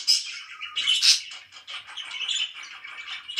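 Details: Morning chirps from pet budgerigars: sharp high squeaks open, then a run of quick scratchy warbled notes that swell and fade.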